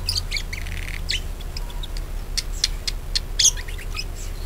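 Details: Budgerigar song meant to prompt other birds to sing: busy, scratchy chirps and squawky notes in quick irregular runs, with brief buzzy bursts near the start and a steady low background hum.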